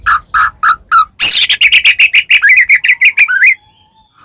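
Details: A white-rumped shama sings loudly to draw song from other shamas. Four mellow whistled notes lead into a rapid, even series of buzzy repeated notes, then twisting slurred notes before quiet.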